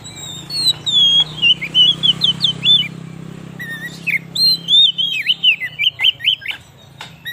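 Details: Oriental magpie-robin (kacer) singing a lure song for catching wild birds and exciting magpie-robins: a continuous chain of rapid slurred whistles and chips over a low steady hum.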